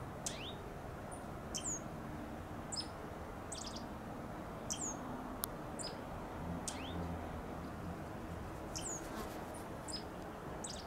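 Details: Dark-eyed junco calling from a flowering Bougainvillea vine, giving thin, high chirps and quick falling tweets at irregular intervals of one to two seconds, with a constant low rumble behind.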